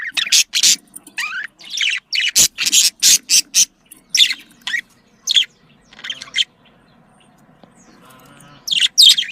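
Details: Budgerigar breeding-call chatter: quick runs of loud scratchy chirps and rising squeaks, then a quieter low purring stretch before more sharp chirps at the end.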